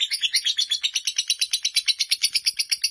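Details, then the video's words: Fighter lovebird chattering non-stop, sharp high-pitched pulses repeating quickly and evenly, part of a long ngekek song running close to four minutes. "Lovebird Fighter durasi hampir 4 menit"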